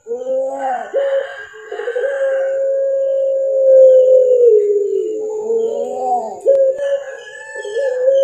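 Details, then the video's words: Captive puter pelung (Barbary dove) from an Indonesian collection, black collar on the neck, mastered recording: gurgling rolled coos followed by a long drawn-out low note that dips in pitch, then more rough bubbling coos and a clipped ending. "Suara mewah PUTER PELUNG"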